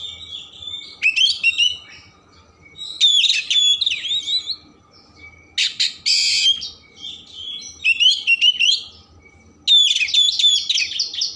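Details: Oriental magpie-robin delivering a loud 'gacor' rich-filler song meant to trigger emotion and tail opening, with repeated bursts of fast sweeping whistles and chatter separated by short pauses, including one harsh rasping note.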